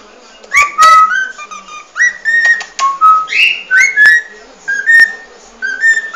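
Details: Cockatiel giving the species' original song, a lively chain of short whistles, some rising and some level, with a few flatter held tones and occasional sharp ticks.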